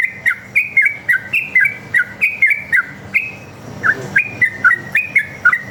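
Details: Lure song of a sooty-headed bulbul in rapid fighting style: repeated bright whistled couplets, each rising then dropping, with a short pause midway before the bouncing notes resume.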